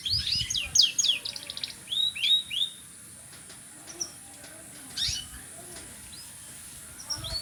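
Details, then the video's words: Canary song opening with rapid twittering trills and down-slurred whistles, then sparse chirps after a quiet gap. "burung kenari"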